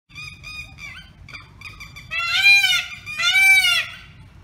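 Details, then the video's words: Peacock giving two loud, nasal, wailing calls, each rising then falling slightly and lasting about half a second. They are preceded by softer, lower, stuttering honk-like notes. "Peacock Voice | Peacock Sound | Peahen Calls"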